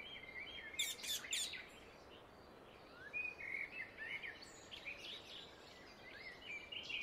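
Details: Wild Indian ringneck parakeet in nature giving a short run of loud, rasping screeches near the start, followed by scattered fainter chirps and whistles from other birds over steady outdoor hiss.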